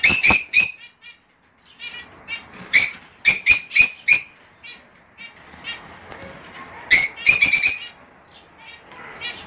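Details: Lovebird song to stimulate pairing and breeding: bursts of loud, sharp, shrill chirps in quick clusters, with softer chattering between them.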